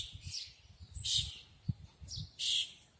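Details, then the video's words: Birds in Yubileiny Park, Kremenchuk, Ukraine: bright, high chirping bursts in three short clusters over three seconds, some buzzy and slightly trilled, over a low rumbling background. "Звуки природы, птицы"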